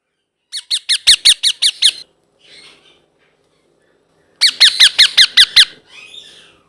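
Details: Indoor blue ringneck parrot chick making two long runs of harsh squeaky notes, seven to eight per run, sharply pulsed and rapid, with soft chatter between and after.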